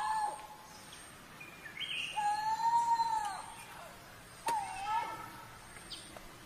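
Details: Coral-billed ground cuckoo producing a short whistle, then a long, gently rising and falling whistled note, and a later brief upswept whistle, amid scattered higher chirps of other birds.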